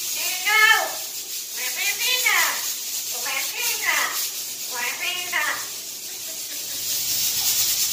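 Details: A Cuban parrot sings the tune Guantanamera in voiced, speech-like phrases, four or five rising-and-falling bursts over eight seconds, over a steady background hiss.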